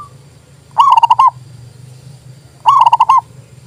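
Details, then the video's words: Local zebra dove song, used in luring and to raise other doves' eagerness to sing: two loud, quick phrases of five to six chopped cooing notes, spaced about two seconds apart over low background rumble. "TERAPI PERKUTUT MOGOK BUNYI PALING TOP"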